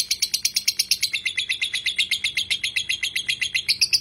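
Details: Lovebird singing in the long "ngekek" chattering style, kept as a tutor recording. A fast, even run of sharp, high chirps, about six per second, continues steadily without a break.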